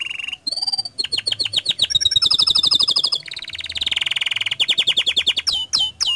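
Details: Lively canary song aimed at making other canaries sing: varied rapid trills, dense rolling buzzy passages several seconds long, and sharp swooping notes near the end.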